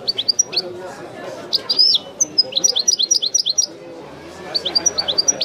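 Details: Widani-style European goldfinch song: short bursts of high sharp twitters and slurred chirps separated by brief pauses, fairly quick and uneven in rhythm.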